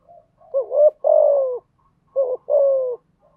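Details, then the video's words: Spotted dove song, a lure for training new doves to sing: a curved rising double note then a long falling coo, repeated twice within a few seconds. "tiếng chim gáy dùng tập chim bổi mới hiệu quả/ tiếng gáy kích bổi gáy ngay"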